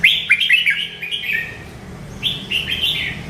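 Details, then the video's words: Merbah lekir bulbul delivering two fast phrases of chattering, liquid warbles, each about a second long, with a brief gap between them, over faint low background noise. "Suara Nyanyian Merdu Burung Merbah Lekir"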